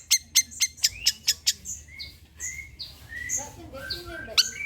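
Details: Long-tailed shrike song played as a lure to draw shrikes into singing: a burst of seven sharp chips, then varied slurred whistles rising and falling, with quieter lower notes underneath.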